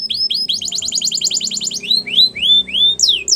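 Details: Singing canary for training young canaries: quick rattling trill of short repeated notes followed by a few rising slurred whistles and sharp downward sweeps.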